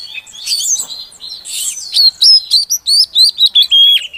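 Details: A female Oriental magpie-robin calling to rouse a silent male into song; soft twittering and a noisy rasp, then a loud even series of about nine clear whistled notes, each dipping at the end.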